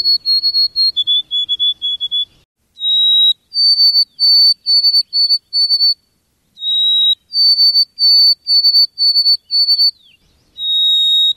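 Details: White-throated sparrow singing in a backyard during lockdown: clear, pure whistled phrases, each opening on a steady held note, then a lower note, then runs of short repeated notes at nearly even pitch, with brief silences between phrases.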